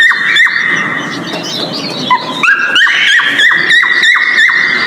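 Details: Mating call of a breeding male cockatiel: a long level whistle, then a rhythmic series of short whistled notes, each ending in a sharp downward flick, repeated roughly three times a second.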